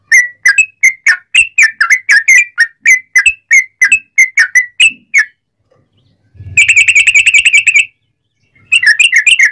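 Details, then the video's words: Yellow-vented bulbul in lively long rapid-trill song, used as a lure to set other bulbuls singing: bubbly whistled notes repeated about three per second, then a dense fast rattling burst, a pause and more chattering phrases. "trucukan gacor ROPEL PANJANG buat pancingan trucukan agar bunyi"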